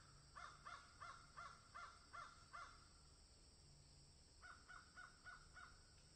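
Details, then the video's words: Crows in a field give a series of short harsh caws, seven in a row about every third of a second, a pause, then five more, over low background hum. "Crows Caw in Field"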